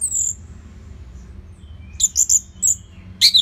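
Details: Orange-headed thrush singing to train other birds: a high note, a quiet gap, then a quick series of piercing high chirps ending in a scratchy flourish.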